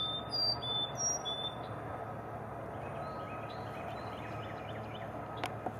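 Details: Carolina chickadee sings its clear four-note fee-bee fee-bay song, high and low notes alternating, then faint chirps over a steady hum and a sharp click; recorded 17 April 2020 at 08:30 EDT.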